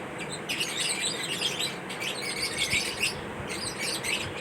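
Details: Chirping lovebirds in a mating ritual: bursts of sharp, high twittering come in clusters, with short dips in between and faint low thumps underneath.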